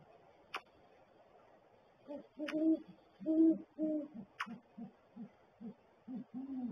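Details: At a barrel nest on January 13, 2022, 7:19 AM, a great horned owl pair calls, the male hooting with gular-like sounds and the female's hoot less deep. A few sharp clicks, then a steady series of low hoots.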